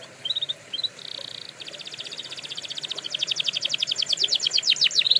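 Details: Canary song meant for training canaries: short high chips and a flat buzzy note, then a long rapid trill that swells steadily louder over several seconds.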